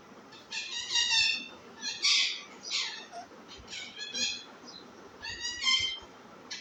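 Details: Baby parrot producing a run of irregular raspy, buzzy screeches and shorter nasal squawks, rising and falling in loudness, with brief gaps between bursts.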